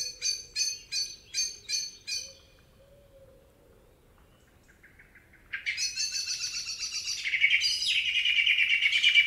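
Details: Excited common blackbird in a Spanish forest: six quick metallic chinks, a long pause, then a loud, rapid, harsh chattering alarm rattle rising in intensity to the end.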